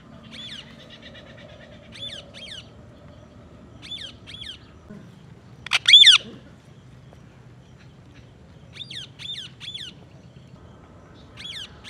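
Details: Green ringneck parrot giving scattered pairs and triplets of short rasping screeches, with one loud harsh squawk in the middle, separated by quiet pauses over faint low hum.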